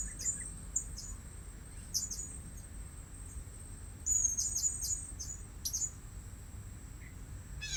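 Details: At a new luring spot, a blue-crowned hanging parrot gives scattered single high squeaks, then a dense burst of shrill chirps in the middle. A steady high insect-like drone fills the background.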